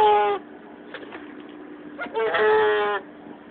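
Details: An angry Canada goose, a mother defending her goslings, gives two loud, nasal, brassy honks, the second longer and slightly rising, with faint murmuring between them.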